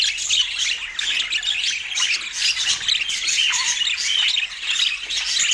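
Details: Budgies in Portland keep up loud, dense chirping and squawking, a continuous scratchy warble of many overlapping voices with a faint low hum beneath.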